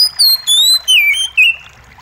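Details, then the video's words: White-rumped shama, known as kacer, singing in a recovery track for stressed birds with trickling water added: four clear whistled notes, the first high and level, then stepping lower with a dipping slur, quiet gaps between. "Terapi Kacer Macet Bunyi + gemericik Air!"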